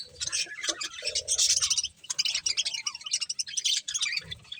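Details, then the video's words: Budgerigars eating corn give rapid scratchy chirps and squawky warbles in bursts, with brief gaps and faint low clicks. "Cute Budgies Enjoying Eating Corn | Love Birds Chirping Sounds"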